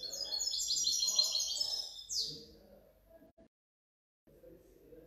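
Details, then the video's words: European goldfinch hybrid, 2019–2020: two seconds of fast jingling twitter ending in a sweeping slurred note, then only faint low background noise and a brief silence. "otro mi mixto de jilguero 2019 2020"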